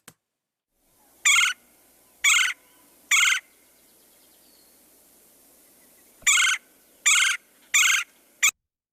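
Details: Red-bellied Woodpecker, a year-round resident, giving its distinctive call: short, harsh, rolling churring notes about one per second, three, a pause, then four more, over a faint hiss.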